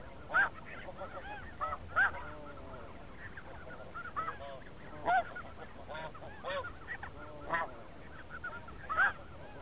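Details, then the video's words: Spring 2017 snow goose flock: a continuous chorus of overlapping high, barking honks, with a louder nearby call standing out about every one to two seconds above the background clamor. "Spring snow goose 2017"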